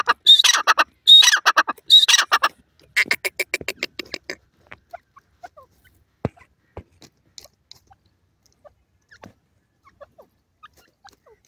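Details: Francolin, the Irani or Dakhni teetar partridge, gives three loud harsh bursts with a thin high whistle in the first seconds. A run of softer rapid notes follows, then only scattered faint clicks and near silence.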